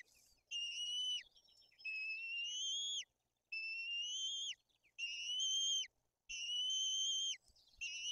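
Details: White-tailed eagles at a nest in Bory Tucholskie, Poland, during chick feeding, with the older chick aggressive: long high whistled notes, slightly rising then dropping sharply at the end, given in a steady series roughly every 1.5 seconds.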